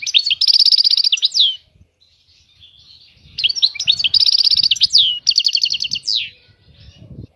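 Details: Goldfinch singing two long phrases of fast, tinkling chirps and trills, each closing with a downward sweep, with a quiet gap between them and soft low thumps in the background.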